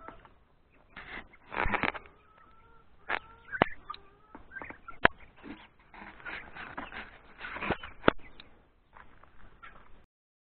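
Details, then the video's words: Free-range chickens in July, resting in a shaded spot with ferns for sun protection; scattered clucks and short tonal calls with harmonics come at irregular intervals, broken by a few sharp clicks. "Free rage chickens on last July. Shade with ferns for sun protection."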